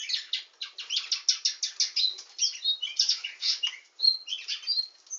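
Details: A canary described as a nightingale singing canary pours out fast, rhythmic pulsed trills, followed by mixed chirps and a few clean whistled notes.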